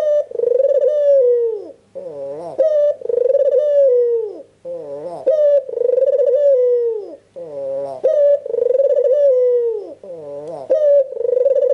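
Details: Persistent cooing from a white, red-eyed albino Barbary dove meant to stimulate reluctant doves to answer. About five rhythmic coo phrases, each a brief rising lead-in and a long, sinking, purring note, repeat with little pause.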